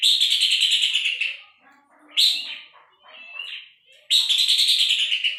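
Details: Puff-throated babbler singing, recorded as tutor material for training Long-tailed Shrike and White-rumped Shama: a rapid string of rasping, harmonic chatter notes, a short loud burst, softer broken notes in between, then another fast chattering run.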